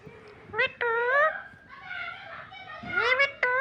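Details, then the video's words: Talking parrot, green, mimicking human speech nonstop indoors: short voiced word-like phrases with clear rising and falling tones, separated by brief pauses. "Nonstop talking parrot"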